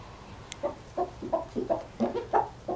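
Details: Three hens and a somewhat cantankerous rooster that never crowed; a rapid run of short, low, throaty clucks, about three per second, with one faint high click early on.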